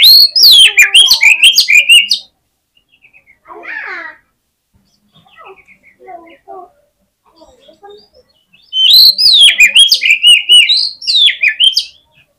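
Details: Loud Oriental magpie-robin fighting song meant to rouse rival birds: two fierce bursts of rapid shrill whistles and harsh chips, separated by several seconds of faint scattered sounds.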